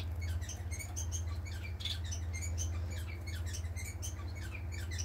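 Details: Several pet society finches give short, high chirps that come rapidly and irregularly, over a steady low hum; recorded 18 April 2020.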